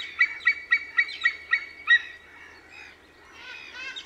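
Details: Seven evenly spaced, ringing yelps from a white-tailed eagle, about four each second, followed by a pause and softer, rougher chattering notes.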